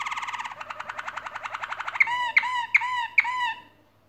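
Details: Canary song from birds busy building a nest: a rapid, even trill of pulsed notes rolls for two seconds, followed by four emphatic downward-sliding notes spaced under half a second apart.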